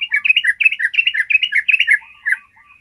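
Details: Yellow-vented bulbul in a clear, long 'ropel' trill, a tutor song for other birds: a fast, unbroken stream of bubbly, alternating high and low notes for two seconds, ending with a few softer separate notes.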